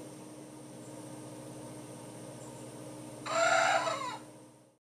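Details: Young Dark Brahma rooster trying to find his crow, an adult Plymouth Rock rooster demonstrating off camera; after a stretch of steady hum, one short hoarse crow under a second long.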